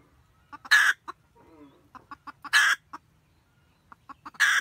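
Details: Nest-guarding wild red junglefowl hen cackles to summon the male, recorded 2020-2021. Clipped clucks speed up before each of three strident, noisy cackles, with a faint soft tonal sound in between.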